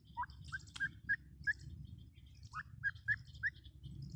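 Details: Teetar, the grey francolin, gives a clear run of rising, slurred whistled notes in two bursts, about four quick notes each, separated by a short pause. A soft low hum sits underneath.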